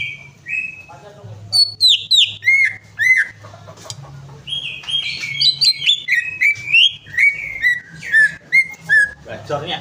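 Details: Greater green leafbird singing a lively run of rich, slurred whistles and quick chattering notes, many dropping in pitch, over a low hum.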